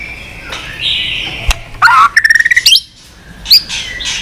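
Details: Stimulated white-rumped shama (Copsychus malabaricus) singing persistently and continuously while flicking its tail on the perch: a varied phrase of many unusual voices, with rapid bright repeated notes, rising whistles and harsh squawky notes, and a sharp click partway through.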